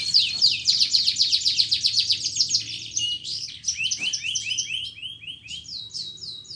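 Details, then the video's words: Vigorous canary song used as a lure to stimulate canaries that have stopped singing or sing lazily, and as a tutor for young canaries aged two to four months: rapid rolling trills of high, buzzy notes, then a slower run of repeated sweeping phrases. "PANCINGAN BURUNG KENARI GACOR ADA JEDA"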